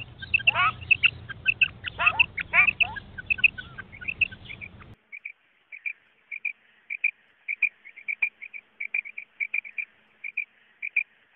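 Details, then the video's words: Common quail call used as a lure for hunting. Other birds give sweeping chirps over low rumbling noise at first, then short paired notes repeat alone and cleanly, close together. "Common Quail sound for hunting | batair ki awaz shikar k leay | بٹیر کی آواز شکار کےلیے"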